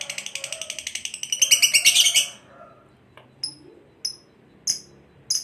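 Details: Pet lovebird used for bird training, with a rapid, scratchy chatter rising in volume, followed by sharp, thin, very high squeaks spaced about every half second.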